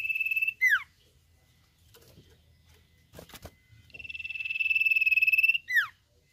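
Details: Common Iora song, nyiul mboh style. A rapid pulsed trill ends in a steep falling whistle, followed by a pause with faint clicks and knocks. Then comes a longer, swelling trill of nearly two seconds that closes with another plunging whistle.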